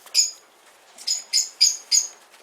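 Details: Hand-tame sun conure chick, flustered, at a bird shop in Fukuoka Prefecture, Japan, giving shrill, harsh, buzzy calls: one sharp call, a pause, then four more in quick succession about a third of a second apart.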